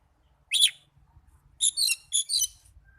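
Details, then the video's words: Brief Oriental magpie-robin singing meant to spur caged birds into song: one loud scratchy swept note, then a harsh rapid chattering burst, over a low background rumble. "Pancingan burung kacer agar cepat gacor"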